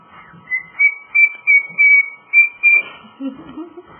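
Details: Pet male cockatiel singing Jingle Bells as a quick series of loud, pure whistled notes on a single pitch, then a few soft, lower chattering sounds toward the end.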